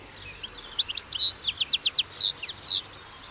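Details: European goldfinch in song, giving a continuous liquid twitter of quick high notes mixed with rapid trilled clicks and two longer nasal, buzzy slurs.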